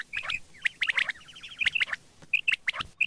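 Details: Quail heard in the morning giving quick, bright chirps in uneven runs, including a brief rattling trill, with short pauses between clusters.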